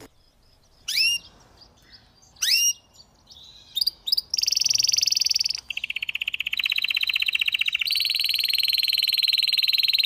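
A canary sings high, bright phrases: a few sharp upswept notes, then long rapid trills and rolling buzzy tours at steady high pitch.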